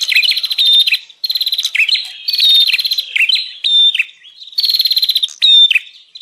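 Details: Bar-winged prinia 'prenjak ribut' lure call, meant to pull in wild prinias: repeated buzzy pulsed rattles, roughly every second, mixed with clear short whistles and sharp chirps.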